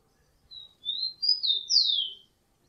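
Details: Song of a rufous-collared sparrow, quieter and slightly distant: a short whistle, then three slurred notes, the final one sweeping down sharply, set against near silence.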